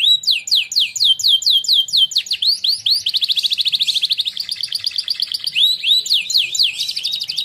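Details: Winning contest canary singing training song: a run of loud, swooping downward whistles, then a fast, buzzy rolling trill, returning to the swooping whistles, all high-pitched and continuous.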